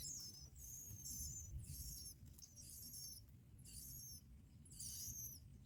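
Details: Bar-winged prinia chicks while both parents bring black locusts to feed them: thin, high, down-slurred whistled notes given in short bursts about once a second, with low background rumble.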